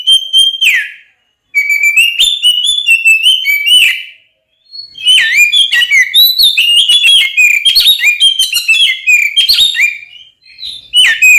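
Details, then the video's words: Oriental magpie-robin song meant to rouse rival magpie-robins to fight: clear whistled phrases separated by pauses, then a long, dense passage of varied whistles, slurs and chattering notes. "SUARA BURUNG kacer gacor NGEPLONG TARUNG konslet ini paling AMPUH buat PANCINGAN KACER agar EMOSI"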